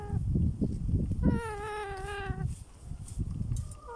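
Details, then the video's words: In an aviary, a young parrot utters one sustained, slightly wavering nasal call lasting about a second, preceded by low thumps and rustling, with a faint short note near the end. "Baby Parrot Making Adorable Sounds in the Aviary"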